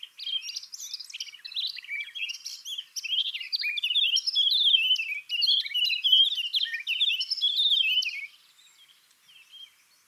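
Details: Eurasian Blackcap song played back as a complete phrase: it opens scratchy and chattering, as if warming up, then ends in clear, fluty, pleasant whistles; about eight seconds of varied high warbling, then quiet.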